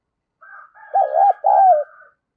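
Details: Spotted dove as a decoy, calling to lure others: a pair of arched coos followed by a long rolling, downward coo, with a faint higher bird call running underneath.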